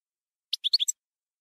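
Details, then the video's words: European goldfinch singing in the campero (field) style: a brief phrase of five quick, high, chirping notes in under half a second, then silence. "CD JILGUERO CAMPERO"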